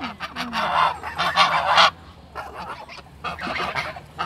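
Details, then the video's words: Geese making barking-like calls: rough, raspy honk bursts in a quick run during the first two seconds, then quieter, scattered harsh notes after a short lull. "Barking geese1 (거위의 멍멍소리1)"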